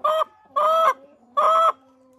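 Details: Hens kept at a country dacha, clucking in three loud, nasal, harmonic bursts; the owner takes this chatter as a sign the hens are laying eggs. The flock includes young hens.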